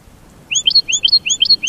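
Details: Short burst of goldfinch song, with paired high whistles, one rising and one falling, repeated three times in under a second and a half.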